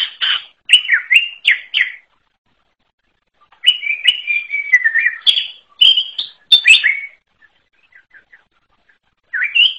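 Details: Greater green leafbird delivering bursts of high, varied chirping and slurred notes, separated by a silent gap and faint soft notes before a final phrase.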